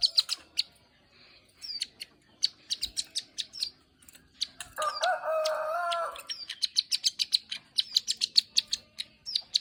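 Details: Plain prinia (ciblek sawah) in lively clicking ngeriwik song: bursts of sharp high ticks separated by pauses, broken midway by a lower, harsh, warbled phrase, then dense clicking again.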